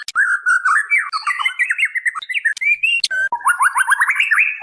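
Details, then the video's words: Female white-rumped shama calling the male: a chain of sweet whistles with wavering slurs, a brief sharp click, then a fast ladder of upward-flicked notes. It is used as a lure recording. "SUARA MURAI BATU BETINA MEMANGGIL JANTAN"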